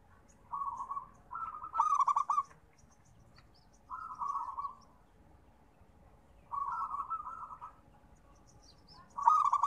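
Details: Local zebra dove cooing, used as therapy for reluctant singers: soft, purring trilled phrases repeated every couple of seconds, some ending with a brighter accented note, quiet gaps between.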